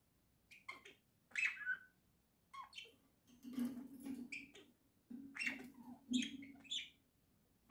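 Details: Pet budgerigars from a small home flock, October 2024, singing indoors: bursts of chirpy, scratchy warbling notes, some rising and falling, come in quick clusters over a steady low hum.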